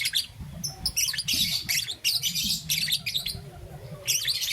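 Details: Fast, shrill, chattering chirps from a young peach-faced lovebird, green and yellow, in the morning, in dense bursts over a constant low rumble.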